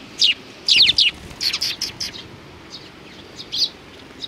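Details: Sparrows on 29 May 2019 chirp in a quick cluster of high, sharp notes early on, then fainter scattered chirps follow.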